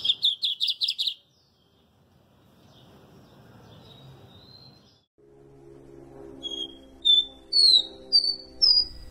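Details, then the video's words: [4, 'Lined Seedeater song: an opening string of five fast buzzy notes, a quieter stretch with faint whistles, then clear ringing high notes repeated roughly every half second.'] "Canto número 13, Bigodinho."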